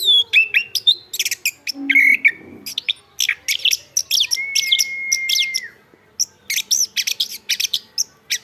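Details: Chestnut-backed thrush singing a rich medley of high chirps and trills, broken by a long, pure level whistle held over a second before dropping slightly, then more rapid twittering.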